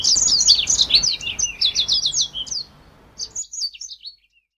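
A Black-throated canary sings a fast, high, twittering song of rapid chirps and trills, pausing briefly before a second burst.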